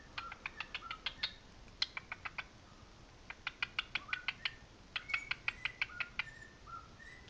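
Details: Singing pet cockatiel, a male, attempting to match another cockatiel's song on playback: long runs of evenly spaced sharp clicks followed by a few brief whistled notes near the end.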